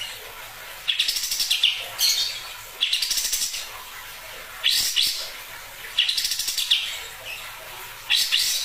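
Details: Olive-winged bulbul (Pycnonotus plumosus) giving harsh croaking calls: bursts of rapid raspy pulses, each about a second long, repeated every one to two seconds.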